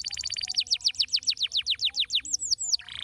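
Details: Stimulating canary song to encourage other canaries to sing. A rapid trill gives way to a steady series of loud downward-sweeping notes, about five per second, ending with a few looping whistles.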